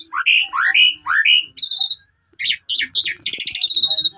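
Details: Rising whistled phrases repeated about twice a second open this Asian pied starling song, used to provoke a silent bird into singing, followed by scratchy chatter and a fast high rattle.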